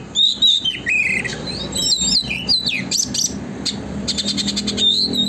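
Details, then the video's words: Oriental magpie-robin in lively, unbroken song, a lure to prompt tail-opening: loud high whistles, twisting slurred notes, and quick chattering runs, with faint low background noise. "burung kacer gacor konslet,pancingan agar kacer buka ekor"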